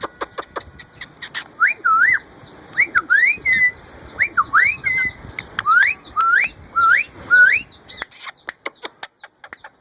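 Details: Hand-reared captive female Indian ringneck parakeet during mating season giving her mating call: a series of about ten clear, rising whistled notes, some in quick pairs, mixed with sharp clicks and rustling.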